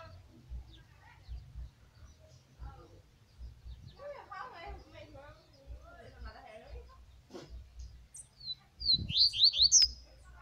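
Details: Male double-collared seedeater (Sporophila caerulescens), a kept bird, song: a loud, quick burst of high, sharp, slurred whistles at the end, after faint talking and a low background hum.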